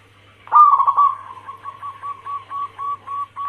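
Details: Zebra dove hen of the local Bangkok crossing cemani line calling the male: one loud trilling coo, then a chain of soft clipped coos at a steady quick pace.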